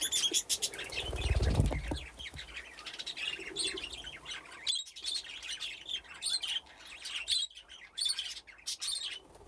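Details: Pet budgerigars playing in an aviary fitted with nesting boxes, a flock grown from two pairs: dense overlapping chirps and squawky chatter throughout, with a low thump early on.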